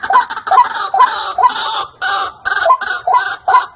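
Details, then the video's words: White-breasted waterhen lure call for trapping: loud, harsh, nasal notes given in quick series, about two per second, each with a short whistled tone inside, in short bursts with brief gaps. "SUARA BURUNG RUAK RUAK PIKAT"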